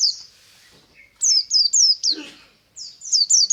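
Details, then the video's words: Morning ngalas singing of a pleci (white-eye) of the buxtomi type, used as a lure for other white-eyes: a long high note, then fast strings of sharp falling whistles, with a brief rustling noise in the middle. "BURUNG PLECI NGALAS DI PAGI HARI"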